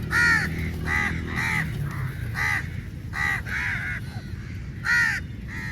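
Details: A large flock of crows fighting over meat while feeding. Harsh, raspy caws come in rapid overlapping bursts, roughly nine in under six seconds, some stacked from several birds at once, over a steady low rumble.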